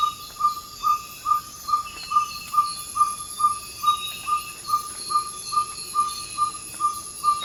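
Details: Ferruginous pygmy-owl (Glaucidium brasilianum) giving its territorial/advertising series of clear 'toop' whistles, about two per second, just before dawn in Ecuadorian Amazon rainforest, over constant high insect drone.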